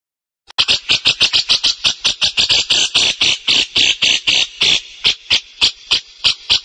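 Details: Grey-cheeked bulbul calling in a long unbroken series of harsh, buzzy chattering notes, about three to four per second, fairly even in loudness, with no other clear sounds.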